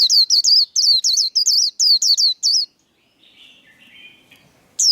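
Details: White-eye singing the líu đấu contest style, fired up to compete: loud, very high, rapid notes with a swooping downward twist, in quick bursts for nearly three seconds. Then soft, distant twittering, and one more loud note at the end.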